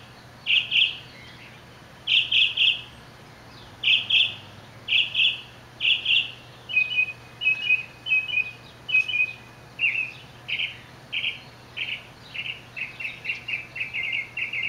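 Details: Northern mockingbird singing in Orange, California, July 18, 2009: bright high phrases, each repeated several times before switching, over a faint low hum; Western kingbirds, house sparrows and house finches also present.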